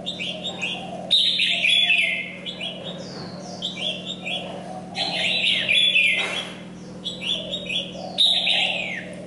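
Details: Red-whiskered bulbul singing hard despite being mid-molt, kept as a caged songbird; bursts of rich, slurred warbling phrases come every couple of seconds, each dropping in pitch at the end, over a low steady hum.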